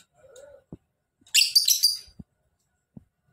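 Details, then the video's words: Lovebird ngekek: a dense, scratchy chatter of rapid pulses running for about three-quarters of a second. Soft knocks are heard before and after it, with quiet surroundings. "Lovebird Gacor!!! Ngekek panjang"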